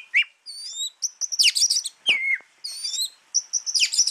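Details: Oriental magpie-robin of the Javan form (kacer jawa), a caged bird offered for sale, singing a rich varied run of loud whistles, sweet slurred notes and harsh chattering bursts in quick succession with short pauses between phrases.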